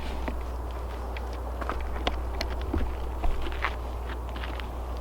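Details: Footsteps and soft crackling outdoors over a steady low hum, with no clear animal calls.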